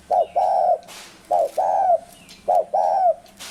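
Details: Spotted dove cooing, with a short note followed by a longer, level, mellow coo. The pair repeats three times in quick succession, sitting low and smooth, and faint background chirps are audible.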